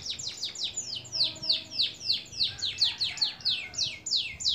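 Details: Fast canary trill from a long-duration songbird training recording: bright high notes sweeping steeply downward, repeated about three times a second with an even pulsing rhythm throughout.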